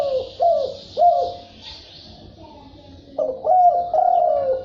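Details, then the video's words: Thúc bổi and gù cooing by a field spotted dove: three quick low coos, a pause with a faint whistle, then longer, drawn-out coos. "Tiếng chim cu gáy đồng thúc bổi gáy gù"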